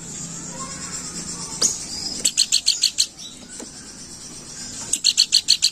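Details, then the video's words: Planduk bukit song used as a lure call, steady chattering: two separate runs of rapid, high, clipped notes, each of five or six beats, over a soft buzzing insect-like background drone. "Burung Planduk Bukit Gacor Crewet"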